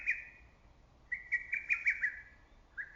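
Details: Early-summer lesser cuckoo calling from woods: the end of one phrase, then a full burst of five or six quick, punchy whistled notes held close in pitch, and the opening note of another phrase.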